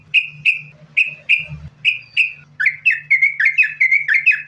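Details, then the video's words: Trucukan or yellow-vented bulbul in 'sambung ropel' song, a lure to make bulbuls sing: several clear, sharp single whistles spaced apart, then a fast, bubbly string of slurred notes. "Trucukan Gacor, Sambung Ropel,Ini Ampuh Buat Pancingan Trucukan Agar Bunyi"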